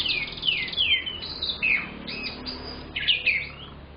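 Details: Young canary kept as a lure bird, singing lively: a series of falling slurred whistles, a short buzzy phrase, a pause, then more downslurred notes over a faint hum.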